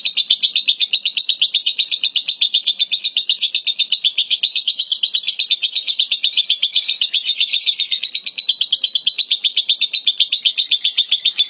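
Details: ['Lovebird giving an odd, continuous shrill rattle of rapid pulses, about four per second, with a few sharp clicks near the start.']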